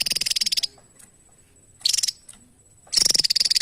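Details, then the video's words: Javan tesia singing, very high and thin: three quick bursts of rapid, closely packed pulsed notes, each under a second long, separated by short silences. "TESIA JAWA GACOR SETIAP HARI"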